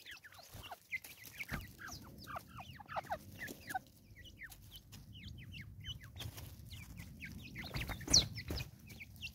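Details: Natal spurfowl in South Africa giving a long raucous cackling series of many short descending notes, crowded and overlapping, with a louder burst near the end and a low ambient hum beneath.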